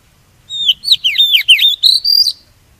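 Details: Oriental magpie-robin decoy song used to lure wild birds and stimulate singing: a loud, clear phrase of whistled notes swooping down and up, ending in a long rising whistle, with no other sounds.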